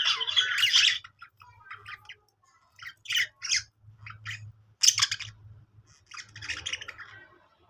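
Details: Budgerigar in a happy mood, a loud squeaky chatter burst followed by scattered short chirps and squawks with pauses between.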